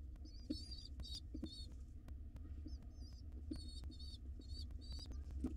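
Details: Wild pigeon nestlings in a monitored nest box begging while their mother feeds them: bursts of high, squeaky, wavering peeps in short clusters, with low background hum throughout.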